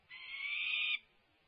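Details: Peregrine falcons at their UC Berkeley nest site during a feeding on May 24, 2024; one grating, buzzy scream lasting almost a second, steady in pitch, then quiet.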